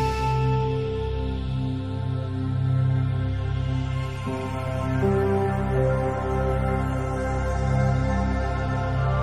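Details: Slow, sustained ambient music with layered low tones and soft chords throughout; no animal calls can be picked out.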